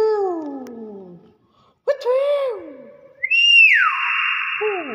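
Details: A pet common hill myna talks in a human-like voice, imitating greetings like "Assalamualaikum" and "Pak": a falling hoarse phrase, a short pause, a rising-falling word, then a long shrill buzzy tone.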